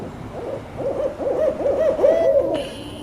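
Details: Barred owls swelling into a rolling chorus, a deep chant that can echo for miles: overlapping wavering hoots and cackling, rising and falling notes build in intensity, then end abruptly against a steady mechanical whine.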